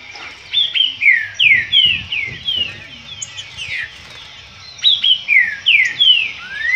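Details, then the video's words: Disputing green-winged saltator song, rich clear whistles that slide downward in quick series of three to five, a pause in the middle, then the phrase resumes and closes on an upward slur. "Disputa trinca ferro."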